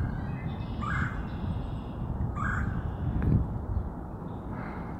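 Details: Red-bellied woodpecker (Melanerpes carolinus) giving three short, harsh, rolling calls about every two seconds, over a steady low rumble of wind or distant traffic.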